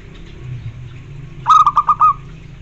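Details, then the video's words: Zebra dove (perkutut) song used to prompt other perkutut to reply: after a quiet start with low hum, a quick run of five soft, purring coo notes on an even pitch. "Suara bikin nyaut semua jenis perkutut"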